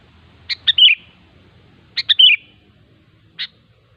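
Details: In the wild, a sooty-headed bulbul repeats a short bubbly phrase twice, each opening with quick clipped notes and sliding into a liquid warble, then one lone sharp note; light low rumble behind.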